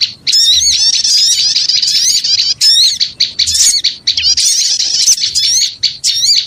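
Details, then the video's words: Small birds chattering loudly as a bird lure, a continuous high-pitched tangle of squeaks, trills and rapid chirps with short gaps around two and four seconds. "Suara Pikat Burung Kecil Ribut Ampuh"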